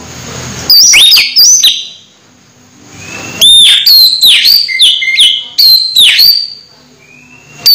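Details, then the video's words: Nearly moulting Orange-headed thrush still in strong song, pure whistles sliding up and down between quick bright notes, a short phrase followed by a longer run of varied whistled notes. "Anis merah hampir mabung masih gacor"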